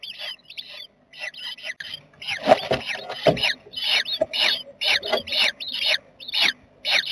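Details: Jackdaw family at its nest box on 7 May 2020: rapid, scratchy, high calls repeated about twice a second, mixed with a few thumps and rustles inside the box.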